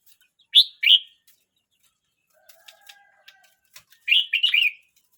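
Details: Young red-whiskered bulbul, 12 months 29 days old, gives two quick bright chirps, then a pause with faint clicks and a soft low whistle, then a longer bubbling warbled phrase.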